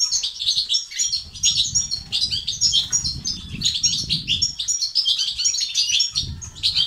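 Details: Male-stimulating European goldfinch song in batbata and stastat style: continuous rapid chattering of bright twitters and short trills, barely pausing, with low murmuring noise underneath.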